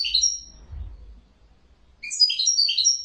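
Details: European goldfinch singing: a short high twittering burst, a second's pause, then another bright chattering run of tinkling notes.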